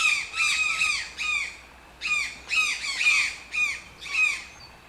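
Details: Toucan repeating harsh, yelping squawks in tight doublets and triplets, each note dropping in pitch, with short silent gaps.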